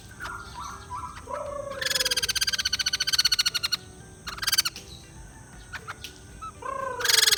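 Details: White-crested laughingthrush, played to get a lazy bird calling: soft whistled notes and a falling tone, then a loud two-second burst of rapid pulsed chatter, a shorter burst, and more chatter at the end.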